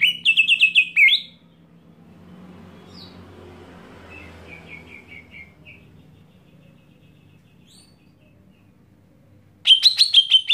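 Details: Greater green leafbird screaming to provoke other leafbirds: a loud, harsh, rapidly stuttered burst of high notes opens and ends the recording. Between them come a brief soft trill and a long near-silent gap with low background hum.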